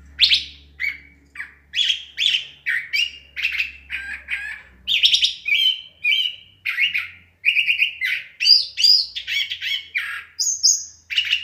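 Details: Extended dusk song from a curve-billed thrasher: a steady stream of varied phrases, scratchy chatters, trills and sharp high whistles, repeated with hardly a pause, over faint low background hum.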